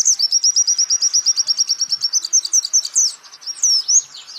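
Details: Singing of a champion white-eye for training songbirds: a long, fast, steady trill of high bright pulses for about three seconds, ending in looping, slurred whistles.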